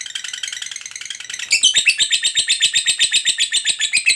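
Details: Long ngekek trill from a fighter lovebird, played to prompt silent birds to sing: softer rattling chatter at first, then louder and fuller from midway, rapid high pulses about four each second.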